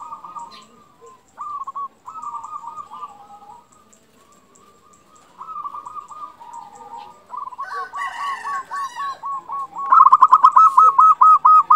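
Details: Local zebra dove song intended to stir breeding mood and prompt rivals to reply. Soft, uneven cooing phrases build into runs of quick staccato notes, ending in loud, fast, rhythmic bursts over the final seconds.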